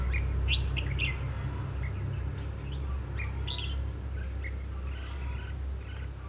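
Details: Caged decoy red-whiskered bulbul singing while wild bulbuls are trapped, 21 December 2015; lively run of quick chirps and short whistles in the first seconds, fading later, under a loud low engine-like rumble.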